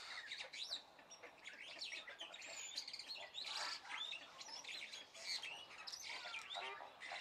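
A noisy jumble of White-throated Magpie-Jay calls, with harsh squawks, chatters and short whistled notes tumbling over one another without pause.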